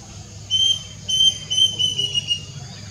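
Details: Plaintive cuckoo (Cacomantis merulinus) song recorded 6 June 2022: clear, high whistled notes in a short run, each note slightly lower than the last, over a faint low background hum.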